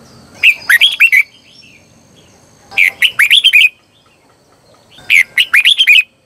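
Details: Red-whiskered bulbul decoy song meant to draw in wild birds, three lively phrases of chirpy, looping whistles spaced about two seconds apart over a quiet background.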